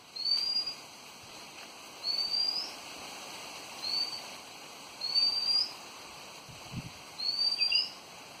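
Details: Windy afternoon in Devgad with a bird giving short, high, slightly rising whistles, five in about eight seconds at fairly regular intervals, over a steady background hiss of wind.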